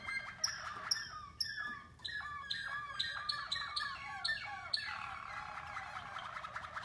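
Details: Waterslager canaries of Mateos bloodline in song training, heard in a group of four: dense, overlapping chirps, trills and sliding whistles in quick succession, rising and falling in pitch, with a busy rolling quality throughout.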